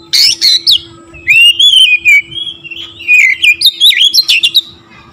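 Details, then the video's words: Oriental magpie-robin in loud, vigorous song, used as therapy to stir other magpie-robins: sharp chirps, then a long wavering whistle and a burst of rising and falling whistled notes, with a faint steady hum behind. "TERAPI KACER LAIN LANGSUNG TERPANCING EMOSI GACOR DOR"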